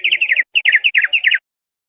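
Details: Thick-billed white-eye from a cagebird tutor recording giving quick chattering phrases of doubled slurred notes, three short bursts separated by brief gaps.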